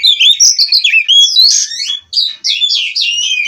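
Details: Oriental magpie-robin (kacer), Cirebon strain, captive-bred, delivering unbroken ngerol song: quick sequence of clear whistled notes and warbling slurs, a short gap, then more sweeping phrases.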